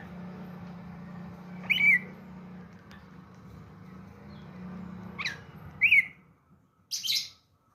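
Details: Greater green leafbird song used as bait to get other birds singing: a few sharp whistled upslurs and scratchy notes spaced by long pauses, with a constant low droning hum behind.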